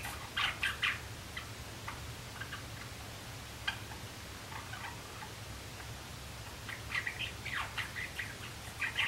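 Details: Three young male Java sparrows practise their song in April 2016, not yet singing together: soft clicking chirps and brief bell-like notes in loose bursts, over a steady low hum.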